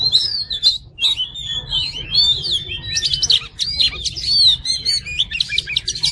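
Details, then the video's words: Oriental magpie-robin (kacer) singing a masteran song of long whistled glides, followed by a dense burst of quick chips and warbles, loud and unbroken. "MASTERAN KACER JADI FIGHTER"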